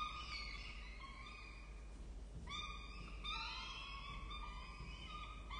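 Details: Peregrine falcon nestlings being fed at a nest in Orange, Australia: long, steady, nasal wailing cries, a short lull near the middle, then a fresh burst of several overlapping, slightly falling calls.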